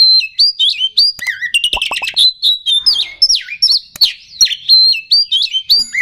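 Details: Kacer, the oriental magpie-robin, in a rousing lure song: clear whistles with sudden pitch drops, clicking chips and twisting slurred phrases in restless succession.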